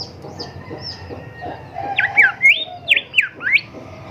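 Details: Golden whistler, locally called bimoli or kancilan emas, on a recording meant to train caged songbirds. Soft distant chirps give way to about six loud, swooping whistled notes in quick succession over a low background murmur.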